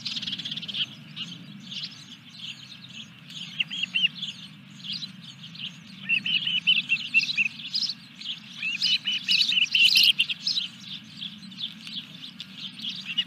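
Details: Osprey nest at fish delivery, recorded 14 July 2021 in the evening; persistent high chirps and squeals that grow louder and denser toward the end, over a constant low electrical hum.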